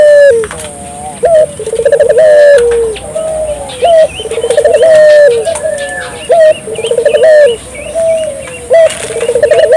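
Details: Spotted dove calling persistently, a rhythmic series of low cooing phrases, each opening with quick pulsed stutters and ending in a drawn-out, slightly falling coo, repeated about every two to three seconds; faint chirps from other birds above.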